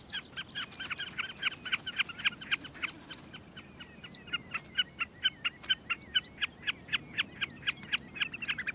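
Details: Common Snipe, a wader, calling from the ground in summer breeding season on open short grassy plain by glacial streams, among breeding whimbrels: a steady run of sharp, clipped notes, about four each second, with faint bird calls in the background.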